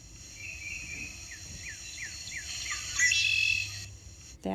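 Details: Red-winged Blackbird calling from reeds by a marsh boardwalk in a local park: a run of quick, down-slurred whistled notes, then a harsh, buzzy trill. A low hum and faint background noise run underneath.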